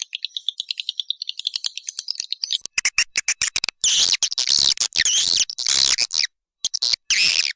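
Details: Swiftlet calling sound of the Walet Naga style, played to attract swiftlets: a quick run of thin, high chirps that gives way to dense, buzzy, churring bursts separated by short gaps.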